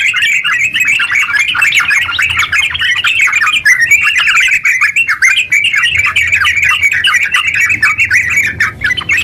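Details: Over nine seconds of unbroken chatter from a yellow-vented bulbul in 'ngeropel' style, a vigorous caged singer meant to spur other bulbuls into song; fast, jumbled twitters and short whistles run on without any break.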